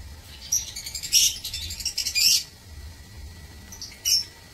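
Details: Lovebirds in an aviary, recorded 16 March 2024: bursts of high shrill chirps and squeaky chatter, clustered around one and two seconds with a single short note near four seconds, over a low steady hum.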